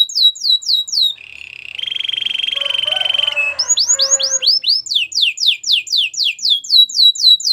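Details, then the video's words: White canary song: quick descending whistles give way to a sustained rattling trill with lower notes beneath it, then resume as a brisk run of repeated downslurred whistled sweeps. "Canary singing birds sounds at its best | White canary singing"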